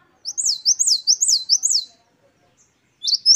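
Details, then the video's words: Gelatik batu, the great tit, delivering its wucit2 song: four clear high up-and-down whistled notes in quick succession, silence, then the start of another phrase. "Glatik Wucit2 10 variasi Masteran Gelatik Gacor"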